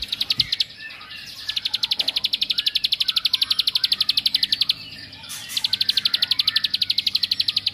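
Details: Bar-winged prinia pouring out a long, very fast series of sharp high notes, broken once briefly before continuing; the song is used to make other prinias agitated.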